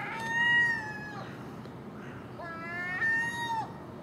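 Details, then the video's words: Common gull calling in the early morning while feeding on garbage left out overnight at a house, with a magpie and crow present; two drawn-out, nasal, harmonic calls, each held level then dropping at the end. "Common Gull Magpie and Crow making noise at early morning"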